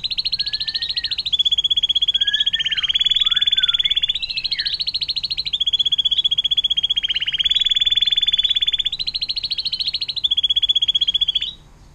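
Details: Atlantic canary singing a long 'air mancuran' (water fountain) style song, a tutor recording for murai batu, cucak ijo and cendet: sustained rapid rolling trills, repeated in long bursts broken by short whistled slurs and brief pauses.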